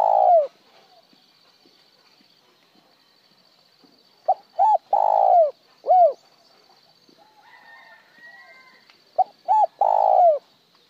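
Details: Spotted dove calling, sometimes with one tail note, sometimes plain: three cooing phrases of a short note, a two-part note and a long falling coo, each sometimes followed by an arched note, a few seconds apart.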